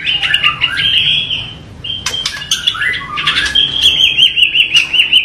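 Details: Murai batu, the white-rumped shama, in full 'tembakan' song with rough variations: sustained high whistled notes, quick chips and descending slurs, ending in a fast rolling trill repeated about every fifth of a second.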